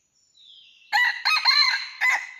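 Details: Red junglefowl in rocky mountains, recorded while trapping on 17 March 2019: a faint thin whistle drifts in before one loud, harsh crow broken into four bursts over about a second and a half.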